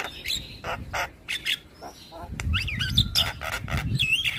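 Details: Javan pied starling singing in the morning, neighbours' starlings answering: harsh chatter bursts followed by wavering, modulated whistles, with low rumbling noise in the background.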